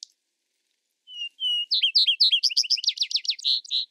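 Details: Vesper sparrow singing. Two clear, steady whistled notes open the song, then a rapid series of high, slurred chips speeds into a bright, rhythmic trill of about four notes a second before ending on a brief buzzy note.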